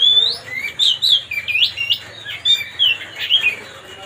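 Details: White-rumped shama, known locally as kacer, singing to provoke a rival: sweet whistled notes sliding up and down in quick short phrases, some rising steeply, over a soft low hum.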